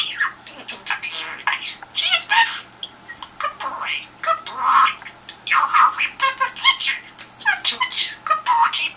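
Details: Indoor budgie chattering toward the telephone for a response: a steady stream of squeaky, scratchy warbles and clicks, loud and nearly unbroken for nine seconds in a small room.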